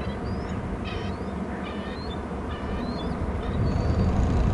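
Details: An eagle at its Hornby Island nest while its mate arrives with a fish to feed the eaglets. Short, thin, downslurred screeching notes come in quick bursts over a constant low rumble.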